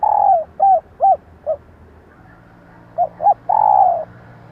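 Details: Spotted dove female coo meant to draw in males; a long falling coo followed by three short arched notes, a pause, then two brief notes and another long coo.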